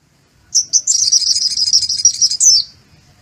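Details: Pleci (white-eye) song filled with learned kolibri muncang sunbird notes: one continuous, very high, buzzy trill of rapid chattering notes lasting about two seconds, ending in a downslurred flourish.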